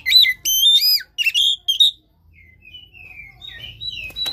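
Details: Caged-bird stimulation song of an Oriental magpie-robin: loud, rich chattering notes with sharp upward sweeps for two seconds, then a pause and softer, thin whistles gliding down and rising again.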